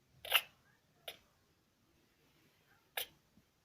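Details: Pet cockatiel sneezing indoors after medicine got into its airways: three short, sharp, hissing bursts, the first loudest, with quiet pauses between.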